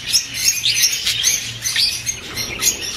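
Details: Singing budgerigars, used to prompt females to mate and lay; lively high-pitched twittering with squeaky rising notes and scratchy chirps, delivered in quick irregular bursts by multiple overlapping birds.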